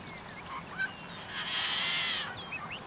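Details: A Yellow-headed Blackbird at a wetland in May sings its harsh song: a few short clucking notes, then a long grinding buzz like a rusty farm gate, ending in scattered chips.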